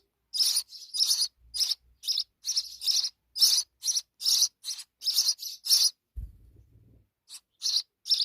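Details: Sparrow nestlings in Pakistan, fed insects by their mother, chirp in a rapid, harsh high series, fall silent briefly around a low thump, then resume with a few more scratchy notes.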